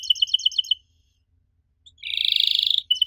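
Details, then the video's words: Canary singing to draw a reply from young canaries: a fast run of paired chirps, a pause of about a second, then a dense buzzing roll and a final short note. "Pancingan Jitu! Kenari Muda pasti nyaut kalo denger suara aneh kenari ini."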